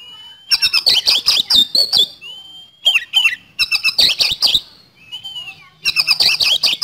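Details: Singing kacer, the Oriental magpie-robin, as a lure in speed-roll style: a thin rising whistle leads into rapid-fire bursts of grating, clicking notes, repeated in three volleys with brief whistled links.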